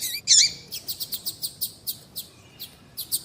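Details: Female double-collared seedeater calling to excite males: one loud, twisting high chirp, then a rapid series of about a dozen short, thin, high tweets evenly spaced.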